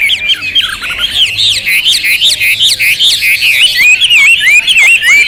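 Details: Loud Hwamei song, rich in material: fast twisting whistles pour out in a continuous run, ending in clear rolling, wavy whistled notes.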